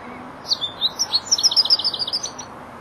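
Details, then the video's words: Young European goldfinch, four months old and starting to complete its song phrases, sings a quick run of high tinkling chirps and twittered notes, about a dozen in under two seconds, over faint background hiss. "jilguero el estudiante rematando"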